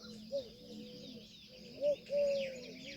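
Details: A peahen, a female Indian peafowl, gives three short, clear, mid-pitched honking notes, the last drawn out for nearly half a second, over a steady high insect-like hiss.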